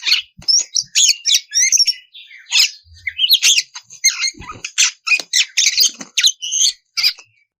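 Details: Vigorous Oriental magpie-robin song meant to draw rival birds into singing: a run of loud, scratchy, rapid phrases mixing sharp chips, buzzy notes and high whistles, broken by brief silences.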